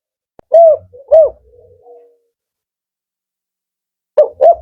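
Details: Male spotted dove of the Kuk 4 type, a firm rhythmic voice valued by keepers: two deep rounded coos about half a second apart, a soft drawn-out tail, a pause, then two more coos.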